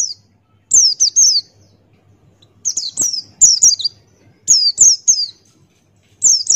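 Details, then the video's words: Buxtoni white-eye, a male pleci, singing vigorously in 'ngalas' wild style, beak open, for training other birds. Four clusters of piercing, high, downward-sliding chirps, two to four notes each, separated by short silences. "Masteran Pleci Buxtoni Ngalas Buka Paruh"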